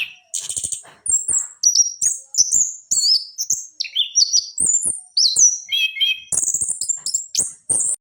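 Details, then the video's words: Orange-headed thrush performing trotol, used to train other birds: a rapid stream of high ringing whistles, slurred notes and short stuttering trills, almost without pause for eight seconds. "AK TROTOL WAJIB DENGAR SUARA BURUNG INI"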